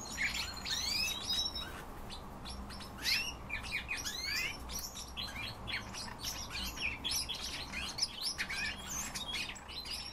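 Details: Common rosefinch kept as a pet bird, singing amid a busy chorus of many overlapping chirps and whistled, sweeping notes, with a steady low hum underneath.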